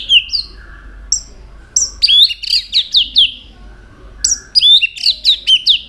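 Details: White-rumped shama singing with changing voices while flicking its tail: high falling whistles, a pause, then two quick bursts of bright, downslurred whistled notes.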